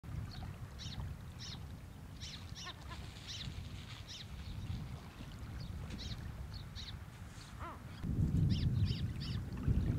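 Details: Mediterranean gulls at Angelochori, Greece, in April 2024 give short, high, nasal calls several times a second, overlapping as from a group, over a steady low rumble of wind and water.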